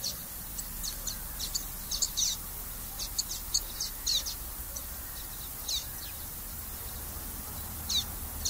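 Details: : Common waxbill song of short, high chirping notes scattered singly and in small pairs over a steady low background hiss.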